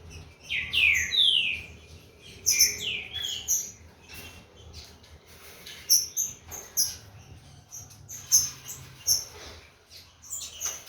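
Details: Captive-bred Green-winged saltator from a Corvo x Fogueira line warming up its song: loud, slurred whistles falling from high to mid pitch in short phrases, with rapid high chip notes scattered throughout.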